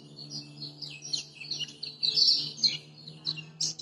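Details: Lemon-bellied white-eye song from Lombok, used as a master to stir quiet birds into song: a steady stream of thin, high chirps and warbled phrases, moderately soft, over a faint low hum.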